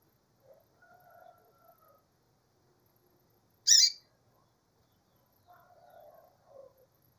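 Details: One abrupt, harsh chip from a female double-collared seedeater sounds midway, with quiet low tonal murmurs before and after it.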